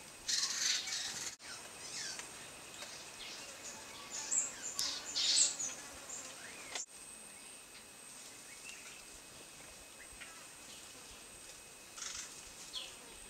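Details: Racket-tailed treepie in Kaeng Krachan National Park, Thailand, giving harsh, scratchy bursts in three short bouts, with a steady high insect whine and faint forest birds behind.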